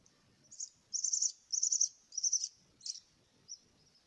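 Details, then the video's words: Begging myna nestlings at feeding time produce a few loud, grating, high-pitched bursts, each about half a second long, among low handling and rustling noises. "kasih makan anak burung jalak"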